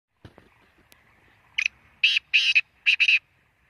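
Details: Black francolin calling: a short introductory note followed by a harsh, grating phrase of three to four loud raspy bursts, the last two closely paired, over a quiet background.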